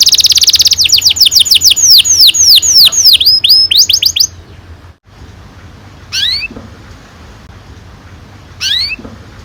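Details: Canary singing to encourage young canaries to start singing: an opening buzz, then a long series of falling whistled notes repeated quickly for several seconds, followed by quiet with two isolated sharp upslurred chirps.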